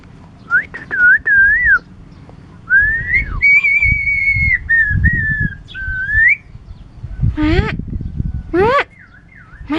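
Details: A clever starling from Curup, Indonesia, whistles a varied mimicry medley. It gives clear looping whistled notes that rise and fall, some wavering, then sharp upward-sweeping calls near the end, over a low background hum.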